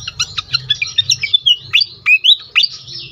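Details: Pied fantail lure sound: short bursts of squeaky, slurred whistles, each note rising or dipping, delivered a little over once a second above a faint low hum.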